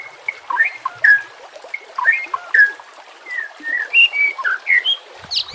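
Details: White-rumped shama song set against trickling water, in the harsh 'nembak' style used to train birds: clear slurred whistles, some rising and some falling, with spaced phrases and a soft water trickle.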